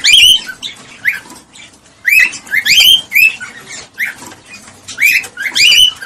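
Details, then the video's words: Cockatiel vocalising to stimulate mating, giving loud upswept whistles in groups of two or three, separated by brief gaps and interwoven with rough, scratchy chatter throughout. "صوت تزوج لتحفيز الكوكتيل على التزاوج"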